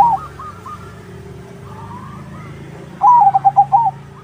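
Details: Zebra dove of crossbred stock singing strongly to prompt other doves to reply. Soft, distant cooing runs first, then one loud phrase of rapid, rolling, staccato coos near the end.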